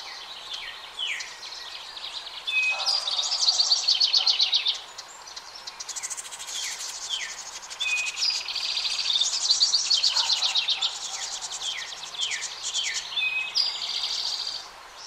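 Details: House wrens, parents with the last two of five nestlings leaving a nest box for a nearby dense hemlock tree: loud bursts of rapid, scratchy chattering notes, some short downslurred chips, repeated in two long bouts separated by a quieter gap.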